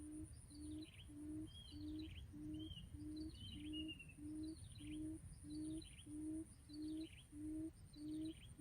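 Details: A lure quail kept for trapping wild quail repeats short, low hoots at an even pace, about fifteen in the run. Higher twittering and sliding chirps of other birds sound throughout, with a low outdoor rumble.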